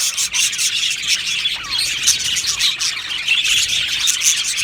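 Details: Budgies chirping in a crowded aviary colony, high twittering mixed with a few harsher squawks, the chorus dense and steady throughout.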